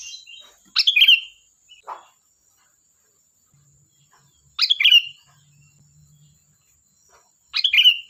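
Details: Sooty-headed bulbul in lively, chatty song: three short bubbly, slurred phrases spaced about three to four seconds apart, with a faint steady high hiss in the background.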